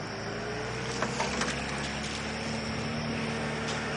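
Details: Steady engine rumble and hum from a safari vehicle on a sunset drive, with a faint wind and no animal calls.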